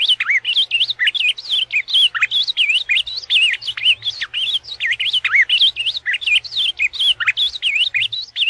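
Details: A steady stream of bright whistled notes from an ultramarine grosbeak in the azulão paraná style, each note curving downward and rising again in close, rapid succession.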